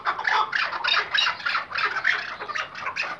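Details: Captive Iraqi white-banded hunting partridge (Chukar) giving harsh, raspy chuck notes in a fast, uneven rattle, about three to four bursts a second; nothing else stands out.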